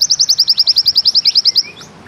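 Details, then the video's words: A pleci white-eye of the Bustomi type delivers a 'ziperrr' trill. Very high, evenly spaced, down-slurred pulses repeat rapidly for about one and a half seconds, ending in a soft rising whistle. "Bustomi NEmbak Ziperrr Mudah DI Tiru"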